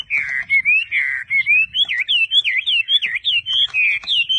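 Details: Chinese hwamei belonging to a Vietnamese bird trader repeats rolling, wavering whistles about three per second, the pitch slowly rising through the phrase, each note looping up and down.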